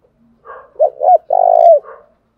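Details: Spotted dove from Đồng Nai, Vietnam, giving the 'thúc gù' coo used to provoke and train decoy birds: soft lead-in, two short looping notes, then one long rolling coo and a fading tail.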